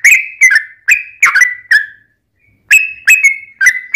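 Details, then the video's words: Lure song of a sooty-headed bulbul in the long ropel style, played so other bulbuls reply: five ringing, slurred whistles, a half-second silence, then four more in quick succession. "SUARA trucukan gacor tarung ROPEL PANJANG pancingan trucukan agar bunyi"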